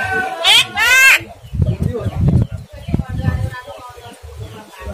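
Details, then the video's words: ['Two loud, raspy rising starling screeches open the sequence, intended to goad a lazy caged starling into singing, followed by low muffled rumbling and faint chatter.'] "pancingan jalak kurang rajin dan gacor"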